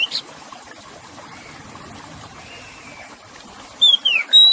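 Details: Oriental magpie-robin song played with water sounds to calm stressed captive birds: a short burst of clear, high whistles, some sliding down and one held steady, over a soft rushing trickle of water.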